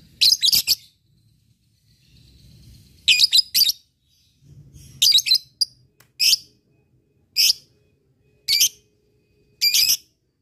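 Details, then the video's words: Lovebird calling to provoke rivals, meant for training fighting birds: clusters of shrill, harsh squawks, some doubled, coming at uneven intervals of about one second, with a brief faint whistle and a low rumble between them. "SUARA LOVEBIRD NGEKEK MEMANCING LAWAN"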